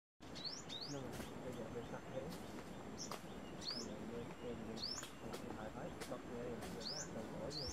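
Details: Brown-throated sunbird in Cambodia giving sharp, high upslurred chirps, singly or in quick pairs, spaced roughly a second apart over a steady low background murmur that may include distant voices.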